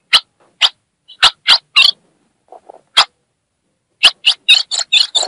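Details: Female Ultramarine grosbeak from northeastern Brazil calling to arouse a male: scattered sharp chips with brief low faint notes in a gap, ending in a quick string of harsh, buzzy, high chirps.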